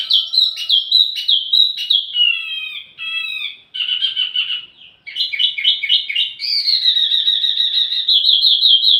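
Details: Wambi mini song for luring and schooling flowerpeckers: quick whistled chips, falling twittered phrases, short pauses, then a sustained fast trill at high pitch.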